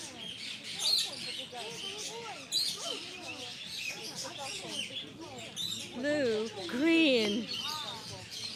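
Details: Parrots of many kinds, including cockatoos, in an aviary on Batumi Boulevard by the Black Sea, Georgia, call over one another in a busy chorus of wavering, nasal squawks and bent whistles, with sharper chatter on top; a person talks quietly underneath.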